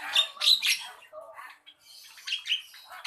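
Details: Loud rasping squawks from a Javan myna open the sequence, followed by a softer, lower churring phrase, a brief silence, then further scratchy chatter.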